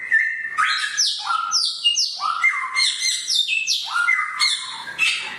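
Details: Samyong bird with a sharp voice delivers a varied string of piercing high whistles and lower slurred notes, dropping and rising in pitch, with short pauses between phrases.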